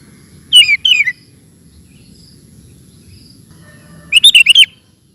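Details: Sooty-headed bulbul in ropel-style song: two loud bursts of quick, slurred whistled notes, the first pair falling, then a rapid cluster of four bubbly notes after a quiet pause, with a soft low background murmur.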